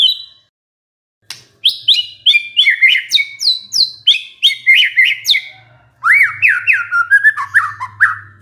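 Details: Song of a white-rumped shama, a stressed bird triggered into singing by a lure recording. After a short whistle and a pause, bright, fast, falling slurred notes pour out, followed by lower rolling slurs in a rapid, varied stream.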